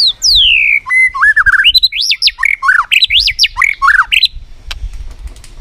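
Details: Competitive singing by a White-rumped shama: a long descending whistle opens a loud, varied run of looping, rising and falling fluted phrases that ends abruptly.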